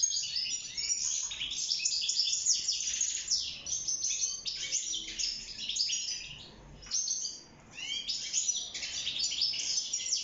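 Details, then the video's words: A wild-caught European goldfinch in an aviary, singing for mating and nest building, gives a fast, tinkling run of liquid twitters, trills and buzzy notes, nearly continuous with one brief pause. "روعة تغريد طائر الحسون البري (المقنين)"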